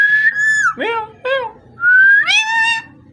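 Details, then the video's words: Parrot making a steady whistle that bends down, two quick arched notes, then a rising whistle swelling into a rich, harmonic drawn-out call. "Amazing parrot so cute talking and voice"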